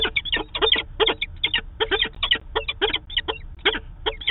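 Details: Peregrine falcon at Manchester, New Hampshire, on 2 September 2018, filmed by a live cam, giving harsh, rasping calls in a rapid, uneven series of two or three per second over a low background rumble.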